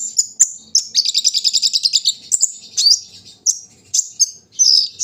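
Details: A brown-throated sunbird sings during morning dewing, opening with high chirps, then a fast rattling trill of many short notes, ending in varied whistled and slurred tweets.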